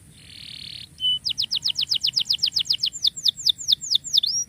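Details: Canary singing as a tutor for canaries that have stopped singing: a soft buzz, then a steady series of sharp descending notes about five per second, broadening into looping slurred whistles.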